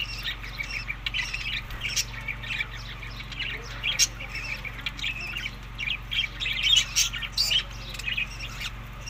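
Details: Budgerigars eating in early summer give scattered scratchy chirps and squawks over a steady low hum, with sharper clicks toward the end.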